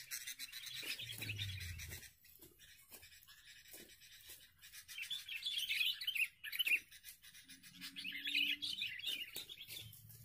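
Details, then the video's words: Sooty-headed bulbul at a lure-bird fight: bursts of quick, bubbling chirped phrases come in uneven clusters. Gaps between them are filled with low rumbling handling noise and a short low hum. "pertarungan pikat kutilang cengkram"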